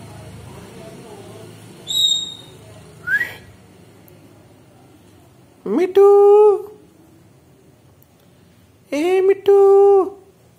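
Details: Pet Alexandrine parakeet, a desi parrot that talks in Hindi, indoors: short thin high whistles, then two loud nasal harmonic utterances, each held about a second, like "mitthu", spaced three seconds apart.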